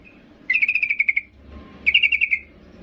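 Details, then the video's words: Female yellow-vented bulbul calling to attract a male: two fast runs of bright, bubbly chattering notes separated by a short gap with a faint low tone. "Trucuk BETINA MEMANGGIL JANTAN"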